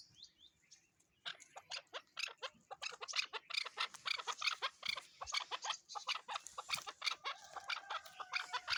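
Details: Chukar partridge giving a rapid, rolling run of harsh chuck notes that builds after a brief quiet start and continues steadily, with faint higher chirps behind.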